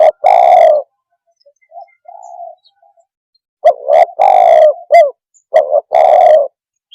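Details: Spotted dove call used to provoke rival birds: a loud rolling coo, soft low murmured notes in a pause, then a fuller repeated phrase of short notes and long rolling coos.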